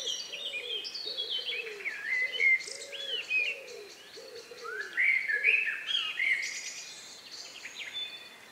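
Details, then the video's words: Evening countryside birds singing minutes before night, recorded around 9 p.m. on May 2, 2020; varied whistled and slurred phrases from more than one bird over a repeated series of soft low hooting notes. "relax sound of bird in the evening"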